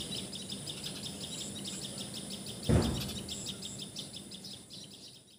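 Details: Common tailorbird (Assamese patxhia sorai, tiposi sorai) in Assam, India, giving rapid repeated high-pitched chirping notes, with a brief loud thump midway and a low rumbling background.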